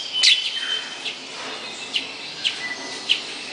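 A Hepatic tanager gives five brief, high chirps spaced irregularly over a few seconds, with a steady soft background hiss.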